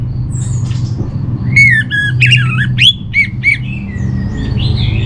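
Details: Orange-headed thrush singing a training song for kept birds, meant to steady their mood and breeding drive: varied squawky and whistled notes with rich overtones, a rapid burst of phrases mid-clip, then a low steady hum behind.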